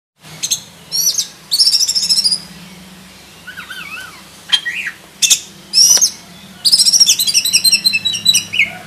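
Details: Black-breasted oriental magpie-robin singing a full, varied song of high whistles and bright chirps, sounded in bursts with short pauses, closing with a dense run of rapid notes; a faint low hum sits underneath.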